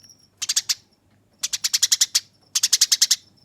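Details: Training recording of a Eurasian tree sparrow's fighting song: three bursts of quick, harsh, bright chirps, the later ones longer, about eight notes each, rolling and rasping.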